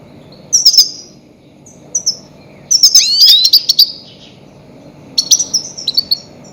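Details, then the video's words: Goldfinch calls used as a lure for trapping grey-headed goldfinches: loud, high twittering chirps in short bursts with brief gaps between them, and a long run of rapid notes near the middle. "Громкие крики щегла для ловли и охоты на Седоголового щегла"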